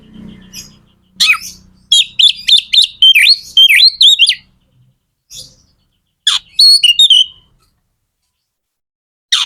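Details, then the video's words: Oriental magpie-robin (kacer) in full energetic song meant to excite other kacer into singing; a dense run of rapid whistled and chattering notes, then scattered sharp calls and a short warbled phrase separated by silences. "Suara kacer gacor"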